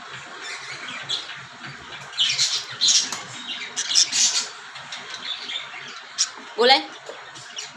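Cockatiels give harsh, scratchy squawks in short bursts, ending with one rising screech. A person talks quietly indoors.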